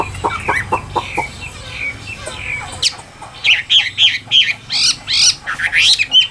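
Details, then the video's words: Caged Chinese hwamei in Vietnam. Soft clicks and chattering come first, then bright whistled notes in quick bursts, each sweeping up and down, repeated several times a second toward the end. "Họa Mi Tam Hoàng Miệng Mỏ Như Máy Khâu, Điện Đóm Căng Hót Hét Bài Bản"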